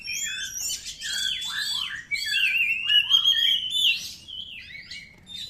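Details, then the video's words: Oriental magpie-robin song used to fire up kept birds: sweet, sliding whistles and downward slurs mixed with harsher chatter, with a quieter break after two seconds. "PANCINGAN SUARA BURUNG KACER"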